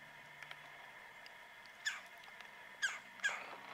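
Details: Woodpecker perched on a tree about 45 yards away, calling loudly on a cold mid-January winter morning around 9 am at -9°F: three short, sharp downward-sliding notes, the final two close together near the end, over a faint steady background hum.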